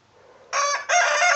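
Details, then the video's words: A domestic rooster crowing: after a quiet half-second, a loud, harsh, richly harmonic crow bursts in, dips briefly, then surges again into a sustained, strained, ringing second part that runs to the end. "Rooster Crowing"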